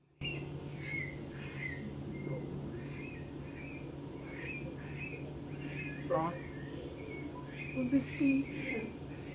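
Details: Eurasian curlews at Bolton Castle, three pairs circling and calling to distract a ringer approaching their chick, give short, sharp, rising calls about two a second, with a low hum and a man speaking briefly.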